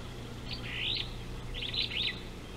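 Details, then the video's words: Superb starling at an African river, 19 July 2018, by a live camera: two bursts of fast scratchy chattering high notes, each under a second, over a low steady hum. "Superb Starling on Africa River cam"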